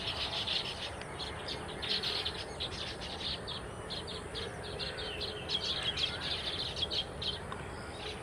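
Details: Flock of baya weavers keeps up steady high-pitched chattering, rapid chirps overlapping without pause, rising in intensity toward the end, over faint outdoor noise.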